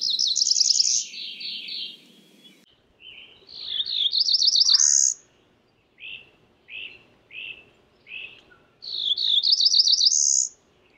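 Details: Cerulean warbler alternating high, rising buzzy song phrases with a series of short, lower chip notes spaced about half a second apart, then another climbing trill.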